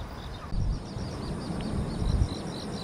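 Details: Little grebe chicks on the Tama River, Japan: thin, high, slightly curved piping notes come in a quick irregular string over a steady low rumble of background noise.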